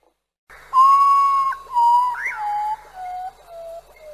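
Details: Common potoo (urutaú), a night bird, giving its mournful, persistent lament-like song: five long, pure whistles, each held about a second and stepping steadily lower in pitch, fading in intensity.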